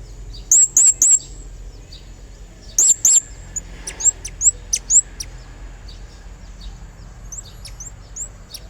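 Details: Blue-crowned hanging parrot singing hard as a lure to call a rival: quick bursts of two or three shrill, high, up-slurred chirps, then softer scattered chirps trailing off.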